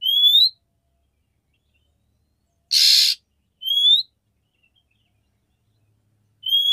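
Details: Female oriental magpie-robin calling the male to prompt mating: a rising whistle, a rough buzzing rasp, then two more upslurred whistles, spaced irregularly in a quiet background.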